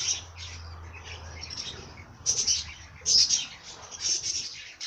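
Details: Birds singing: bright high chirps and trills, with louder bursts of twittering near two, three and four seconds, plus a low steady hum during the first second and a half.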